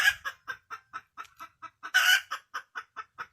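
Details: Wild junglefowl hen giving evenly spaced clucks, about four per second, with a loud rough squawk in the middle; a low thump is heard at the start.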